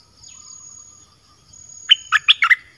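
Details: Red-whiskered bulbul in a cage singing 'dok taeng' style to lure wild birds: after a near-silent start, a quick burst of five rollicking whistled notes, then another note begins.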